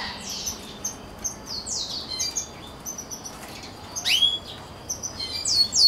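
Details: Rosefinch crossed with canary, a mule hybrid, giving a quieter song of separated high downward-sweeping whistled notes and short chirps, with a louder rising-falling whistle midway.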